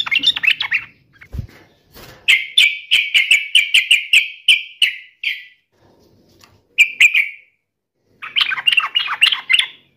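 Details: Yellow-vented bulbul singing to mock and answer a rival. Several bursts of quick chattering notes, including an even run of sharp repeated notes, with gaps of quiet between phrases.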